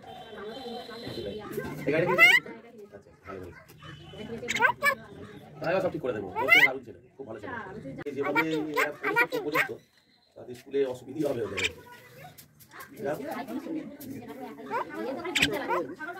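A common myna imitates human speech in harsh, voice-like phrases broken by sharp rising whistles.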